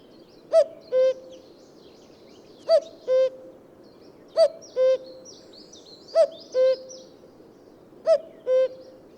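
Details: Five repeated cu-coo calls from a common cuckoo, spaced roughly two seconds apart: a short upper note falling to a longer lower one, over a background of high, scratchy twittering from other birds.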